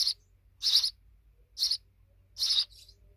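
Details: Grown sparrow babies chirping: four short, bright, noisy chirps spaced unevenly over three seconds, over a faint low hum.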